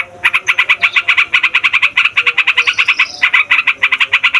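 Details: Busy chattering 'ngeroll' song of a yellow-vented bulbul, used as a lure for wild bulbuls. Rapid steady pulses come with a brief higher sliding whistle near the middle.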